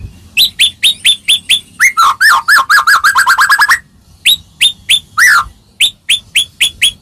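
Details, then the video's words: White-rumped shama song for getting other shamas to answer: repeated high upslurred chips about twice a second, a fast warbled run of wavering notes, then more evenly spaced chips. "Suara Merdu Murai Ini Selalu Berhasil Buat Murai Apapun Langsung Nyaut"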